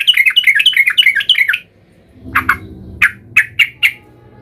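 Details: Yellow-vented bulbul singing energetically, described as agitated and seeking a rival. A rapid run of bubbly, warbled notes, then a pause followed by separate sharp, loud chirps in quick succession.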